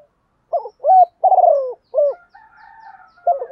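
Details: Spotted dove used as a decoy, cooing to gather wild doves. Four low coos, one longer and raspy and sliding down, then a soft humming pause before the next coo phrase begins.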